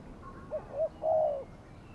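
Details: Spotted dove used as a decoy for trapping wild doves, recorded outdoors on a Saturday: two short, soft coos followed by a louder, drawn-out coo, with a faint thin whistle from another bird behind.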